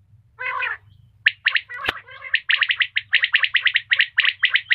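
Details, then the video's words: Female common quail with a harsh buzzy note, a few scratchy sounds, then a fast run of sharp chirping notes growing steadier, over a steady low hum. "batair ki awaz/Quail sound/ Batair voice"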